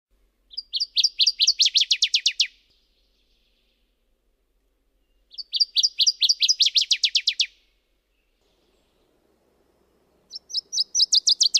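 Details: Subalpine warbler (Sylvia cantillans) singing: high, scratchy, rapidly chattering phrases of about two seconds, repeated roughly every four to five seconds, with silence between bursts.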